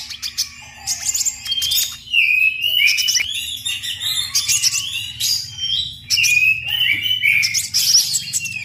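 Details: Sunbird singing, recorded for training other songbirds: rapid, high, chattering twitter phrases mixed with slurred whistled notes, delivered in bursts about every one to two seconds over a constant low background hum.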